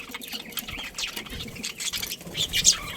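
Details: Busy, scratchy chattering from a budgerigar colony with breeding pairs, mixing overlapping short chirps and a louder squawk near the end.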